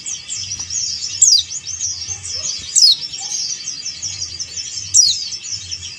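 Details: Male yellow-breasted white-eye, Bali type, calling to a rival. Constant high chittering is overlaid by three loud downslurred whistles at irregular gaps of under two seconds.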